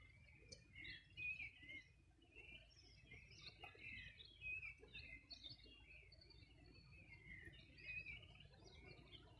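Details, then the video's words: Several birds sing at the edge of the Bueno River, Los Ríos Region, on a 2020 summer morning: overlapping short chirps and whistled notes, scattered irregularly throughout, with a steady low ambient hum beneath. "Sonido de las aves a orilla del Rio Bueno"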